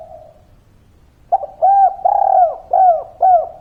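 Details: Spotted dove from local wild stock in lively 'kuk 3' three-note style: after a faint low murmur, a short lead note gives way to four rich, bowed coos evenly spaced.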